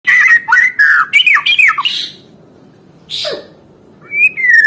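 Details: White-rumped shama in full song, played as therapy to get silent caged birds singing again: a rapid burst of varied whistled and chattering notes, a pause, one harsh downslurred note, then a clear falling whistle.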